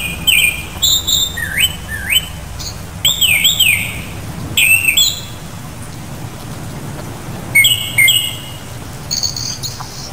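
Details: Japanese thrush, Turdus cardis, delivering bold fluty whistles that rise and fall in looping slurs, grouped in short bursts separated by pauses, with higher thin notes closing the passage; a soft patter like rain sits in the background.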